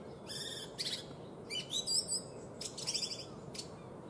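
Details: A common kingfisher, filmed hunting fish, gives shrill, high piping notes in short bursts roughly once a second over a steady low background rumble.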